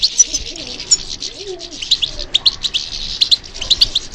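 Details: European goldfinch responding to stimulation with a dense high twittering song of rapid chirps and trills, some faint lower sounds in the background.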